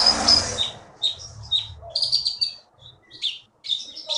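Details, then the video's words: Caged Blue-winged Leafbird, originally from the Bangka forest and a regional contest winner, singing bursts of bright high chirps and buzzy twitters after a brief noisy opening, with short gaps between phrases. "KEETY BURUNG JAWARA FULL GACOR"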